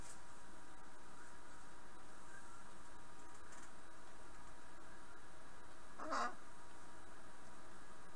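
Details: A macaw in a room during gaming gives one loud, harsh squawk about six seconds in, lasting under half a second, over a steady low indoor hum.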